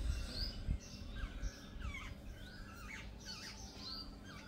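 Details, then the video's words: A jungle babbler gang calls with squeaky, wavering notes that rise and fall in irregular bursts. Several birds overlap, with a few low thumps at the start. "Gang of Jungle babblers"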